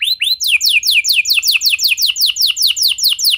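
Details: Canary lure song meant to get other canaries singing: two rising whistles, then a fast run of high, downward-sweeping notes repeated about two per second, bright and ringing throughout.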